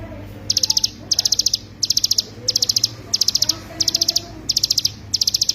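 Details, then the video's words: Hill prinia song used as master recording for songbird training: short bursts of about five rapid, high, sharp notes, repeated roughly every two-thirds of a second, with a faint low hum in the background. "ciblek gunung paling dicari sebagai masteran"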